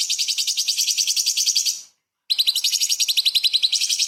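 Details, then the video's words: Cucak cungkok, the light-vented bulbul, in lively 'tembakan' song with small-bird fills meant as a training model for shamas and magpie-robins; two bursts of rapid, piercing repeated chirps broken by a brief pause. "CUCAK CUNGKOK SUPER GACOR ! Full Isian TEMBAKAN ISTIMEWA BURUNG KECIL"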